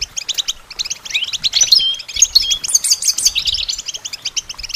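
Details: European goldfinch singing for songbird training, a fast liquid twitter of high chirps with a louder middle section of mixed buzzy trills and sliding whistles, the notes tumbling almost without pause.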